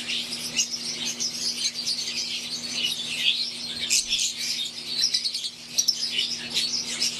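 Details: Fischer's lovebirds of wild-type green and Euwing forms chatter in an aviary, a thick wash of high chirps and occasional harsher squawks running continuously, with a low hum beneath.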